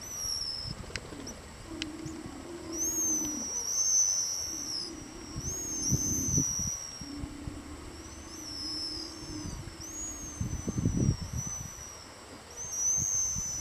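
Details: Pigeon guillemots give thin, very high whistles, short rising and falling squeals repeated through the clip, over a low droning hum and rumbling, with an elephant seal breathing and sea lions roaring in the background.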